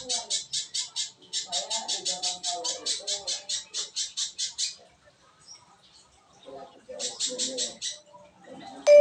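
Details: Little spiderhunter song played to coax silent birds into singing: bursts of fast, evenly spaced high piercing notes, a pause, then another burst, with soft lower murmuring sounds underneath.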